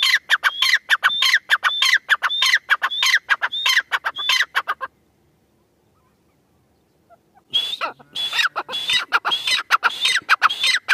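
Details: Female teetar, a grey francolin, calling in fast, harsh, shrill repeated notes, roughly two per second. The long series breaks for a silent pause of nearly three seconds, then resumes just as rapidly.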